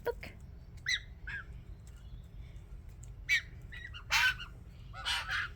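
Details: A family group of four red-eyed white-winged choughs in Australia, visiting a doorway unusually close, gives scattered harsh, squawky calls at an uneven pace over a low steady rumble, with a man talking nearby.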